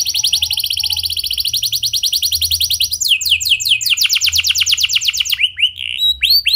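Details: Canary in clear rolling song meant to spur other canaries into singing: a long rapid trill of repeated notes, shifting to a faster sweeping trill, then a few slower downslurred whistles at the end.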